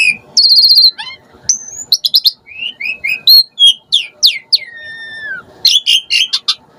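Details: Asian pied starling (jalak suren) played to lure starlings into responding; buzzy notes, bright upslurred whistles and a long falling whistle, then a cluster of harsh chirps.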